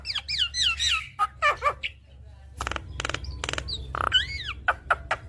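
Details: Javan myna in continuous full-repertoire song, used as a training track for a reluctant singer: slurred rising and falling whistles, harsh broadband rasps and clicks in quick bursts, with a brief quiet gap midway.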